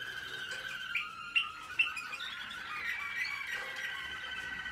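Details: American Singer canary, 2021, during training: a few loud, sharp chips at the start, then a smooth, continuous warbling song of held tones and soft trills.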